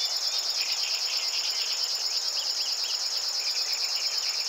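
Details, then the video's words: River warbler song recorded at 52.057384, 20.195077: a continuous high, cricket-like buzz that throbs in quick regular pulses, with faint chirps and slurred notes of other birds underneath. "River warbler / Strumieniówka"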